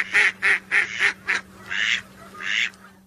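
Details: Whistling duck lure calls: five quick loud notes in a row, then two longer, softer drawn-out calls, with a steady low hum behind.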